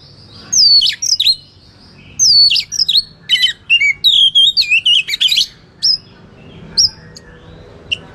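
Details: White-rumped shama singing a fighting song to provoke rivals: loud falling whistles, dense buzzy chattering in the middle, then a few isolated high whistled notes spaced about a second apart.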